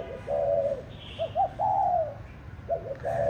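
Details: A former decoy spotted dove, now kept as a pet on a home balcony in Định Công, Hanoi, coos all day: soft, low hollow coos and quick paired notes, repeated, with a faint higher chirp once behind.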